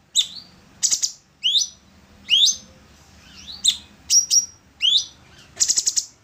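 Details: Orange-bellied leafbird singing in a recording meant to teach songbirds: a steady string of bright, rising whistled notes spaced under a second apart, broken by short buzzy chattering bursts.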